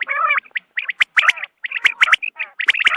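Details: Dawn quail sound meant for hunting: opens with a nasal, harmonic squawk, then runs into choppy groups of bright chirps and crackling clicks, with a brief clear whistled note near the end.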